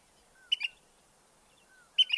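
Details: Ash-throated Flycatcher in southeastern Arizona giving two short, burry call bursts about one and a half seconds apart, each a quick rough cluster of notes; the background is otherwise quiet.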